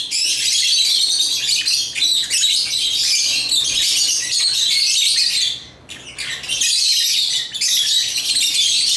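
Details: African lovebirds, busy with toys, keep up a thick stream of high-pitched chirps and squeaky squawks for about five seconds, fall silent briefly, then resume just as noisily.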